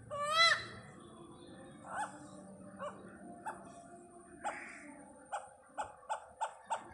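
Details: Great hornbill (Buceros bicornis) visiting Pathanamthitta: a loud nasal, rising honk, then gruff barking notes spaced about a second apart, quickening to rapid barks near the end.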